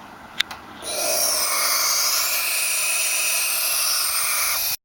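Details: Barn owl chicks acting ornery: after two sharp clicks, a loud, rasping hiss starts and holds steady and unbroken for almost four seconds before cutting off abruptly.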